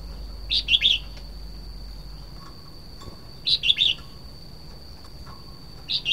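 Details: Red-whiskered bulbul delivering short bubbly phrases of three to four quick warbled notes, spaced about three seconds apart, against a constant high-pitched electrical whine and faint low noise.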